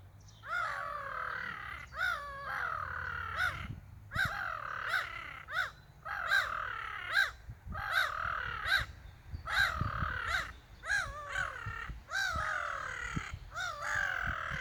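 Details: Several seagulls calling back and forth while people photograph them: repeated harsh, wavering yelping calls, roughly one every second, with a slight rise and fall in pitch, and low rumbling background noise.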